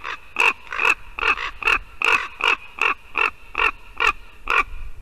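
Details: Ravens calling at an occupied white-tailed eagle nest in Latvia on 2 December 2019 at 8:59 AM: a fast, steady series of about a dozen harsh, nasal croaks, roughly two or three per second, clear over a quiet background.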